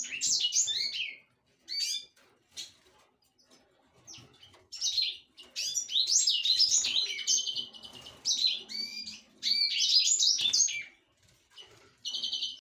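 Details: Black-throated canary, subspecies somereni, in loud, sustained song: rapid, sweet, high-pitched warbling runs with buzzy trills and slurred whistles delivered in long bursts of one to two seconds, broken by short silent gaps.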